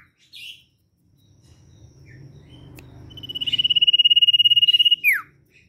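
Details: A semi-tame, actively singing common iora gives a few short high chirps, then a long, even, rapid trill on one high pitch ending in a falling slur, over low background rumble; used as a lure call.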